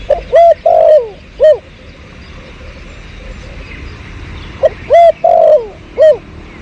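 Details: Two cooing phrases of a spotted dove, recorded in 2022 behind house plants as a lure: each has quick hooked notes, a long slurred coo and an arched closing note, separated by a few seconds of quiet.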